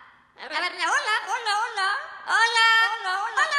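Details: A 22-year-old pet parrot, asked to laugh for its fans, gives two runs of voice-like, chuckling syllables that rise and fall like human laughter or chatter, each lasting about a second and a half.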